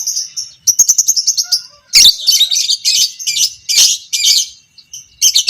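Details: Pastel creamino lovebird, a fighter, giving long ngekek chatter meant to train other lovebirds; a quick series of high ticks leads into loud harsh chattering bursts separated by brief pauses.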